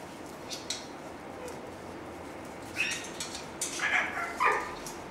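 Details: Cockatoos in family life: a faint rustle, then a cluster of short, rasping squawks in quick bursts near the end, partly overlapping, against steady background noise.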